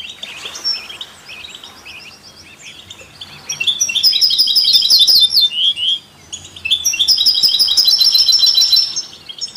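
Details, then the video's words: European goldfinch singing alongside canaries and mules, songs meant to stimulate other songbirds; high, rapid twittering with fast trilled runs in two loud bursts, quieter chatter between them. "Stieglitz Kanarienvögel und Maultiere stimulieren alle Singvögel"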